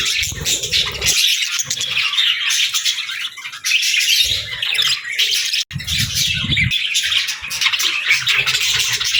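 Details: Pet budgerigars keep up high, busy twittering chatter, broken by several bursts of low rumbling noise.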